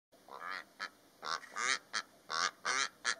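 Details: Two Rüppell's korhaans, a pair, calling in the Namib Desert with harsh, croaking, honk-like notes in quick uneven bursts, about eight in three seconds, with little else audible.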